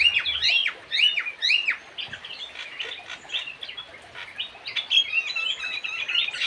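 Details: Javan cochoa, known locally as kidangan jawa or kaso kaso: quick high chirps and sharply rising and falling whistled notes, loosely repeated about twice a second, with a denser run of thin twittering near the end.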